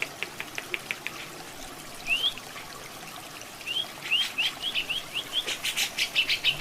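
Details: Grey-cheeked bulbul (cucak jenggot) in a masteran recording with water sounds: a few clicks, then rising whistled upslurs, building into a rapid run of bright chirping notes.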